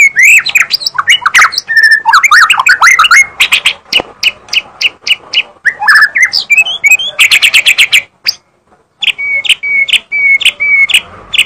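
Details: White-rumped shama in full, energetic song: rapid mixed whistled phrases and chattering, then bursts of sharp repeated clicks, a short silence, and a steady series of clear level whistles repeated about twice a second.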